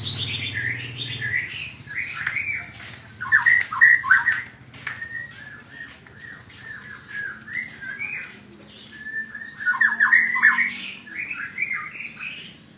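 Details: White-rumped shama singing a long varied song of whistled, warbling phrases in bursts, some louder rich passages, with a low hum at the start.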